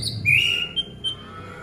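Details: Orange-headed thrush song played to coax a quiet caged bird into singing: one loud, rising whistled note followed by two short softer high notes, with low background hum.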